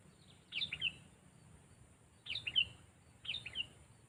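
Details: Sooty-headed bulbul trained as a decoy for luring birds, meant to confront other birds with a loud, clear voice; three short gurgling phrases of falling whistled notes spaced about a second apart, faint background hum.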